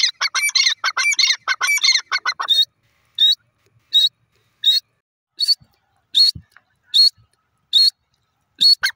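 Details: Grey francolin opening with a rapid burst of harsh, chattering notes for about two and a half seconds, then settling into single high, clipped notes repeated roughly every seven tenths of a second.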